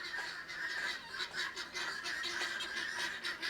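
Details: Chickens come near a campsite during a roof tent review, loud enough to interrupt it; rough, honking clucks recur over a steady high buzzing hum, with scattered faint clicks.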